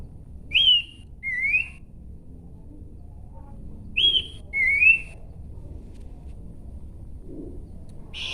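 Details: Horsfield's babbler whistling two pairs of notes: a slurred note with an upturn, then a lower rising whistle. The pairs come about 3.5 seconds apart in otherwise quiet surroundings.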